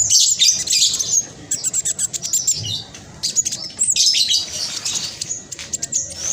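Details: Black sunbird, spotted (trotol) form, kept as a master bird to prompt silent caged birds to sing: fast, dense, high-pitched chattering trills and sharp chirps in quick bursts with short pauses between phrases.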